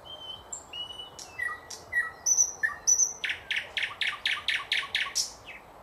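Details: 2024 recording of a thrush nightingale: high piping whistles and short slurred notes, then a loud, steady train of around ten rasping, chock-like notes, each ending in a faint low pip.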